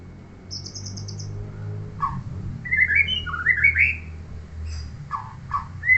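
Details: A kept white-rumped shama from a neighbour: a brief high trill, then varied loud whistled phrases sliding up and down, with short chopped notes near the end. A steady low hum lies beneath.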